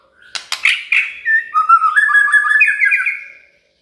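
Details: Shama lure song to start a quiet bird singing: a few sharp clicks, then a rapid, rattling run of warbled whistles that rises in pitch before stopping.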